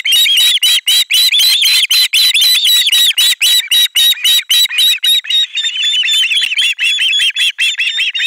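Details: Nest-camera ospreys in Finland on 18 July 2022 screeching together on the arrival of a fish: rapid, continuous high-pitched wailing whistles, overlapping and insistent, roughly four notes a second.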